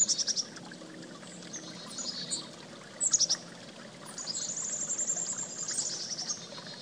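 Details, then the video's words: Chickadee at a creek giving short clusters of high, thin notes near the start and middle, then a longer rapid series of bright repeated notes, over constant running water. "Creek And Chickadee"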